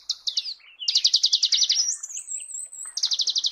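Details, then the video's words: Marico sunbird singing in natural habitat: rapid bursts of high, stuttering notes in quick trills, a thin rising whistle, then another fast chattering run. "Marico Sunbird"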